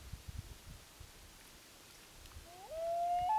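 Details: Loon recorded on Gavia Lake in 2011: quiet low background for over two seconds, then a smooth, rising wail swelling upward and holding a steady pure tone at the end.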